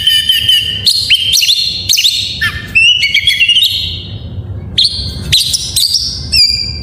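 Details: Varied song of an Oriental magpie-robin, played to stir silent kept birds into singing: rapid sequence of bright whistles, swooping slurs and trills, with a brief pause before a new burst of high notes.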